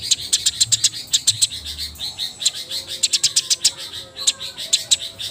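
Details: Eurasian tree sparrows squabbling before dusk, plumage wet, keep up a near-continuous stream of staccato high chirps, dense and irregular, with low background rumble.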